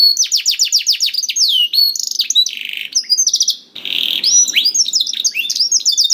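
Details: Canary song intended to make a quiet canary start singing: quick trills of repeated downward-sweeping notes, a dense buzzy phrase around the middle, then more varied rolling trills.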